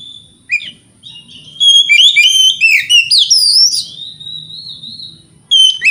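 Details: White-rumped shama song played to provoke rival shamas into singing: rapid, loud run of sharp whistled notes sweeping up and down, ending in a long, steady whistle, then a brief return of bright notes.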